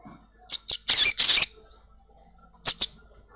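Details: Domestic black-winged myna sounding to lure a caged bird into song: two short sharp chips, two longer harsh rasping squawks, a quiet gap, then two more clipped chips.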